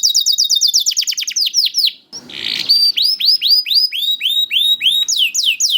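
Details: Young canary singing, offered as a lure song to get reluctant canaries to sing: rapid high downward-sweeping whistled notes, a short harsh buzzy burst near the middle, then a steady run of curved, ringing swept notes.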